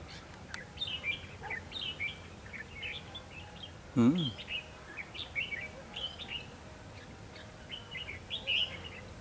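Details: Decoy Red-whiskered bulbul singing at a Hòa Chanh trap site to attract wild bulbuls: a run of lively whistled, warbling phrases repeated every second or so, one deeper thud midway, faint background hiss.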